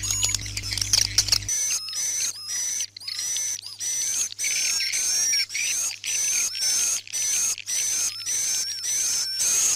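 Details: Swiftlet calls in a night sound played inside a swiftlet house to attract the birds: dense, high, chirping twitters in rapid, evenly spaced bursts about every half second, with a low electronic hum at the start.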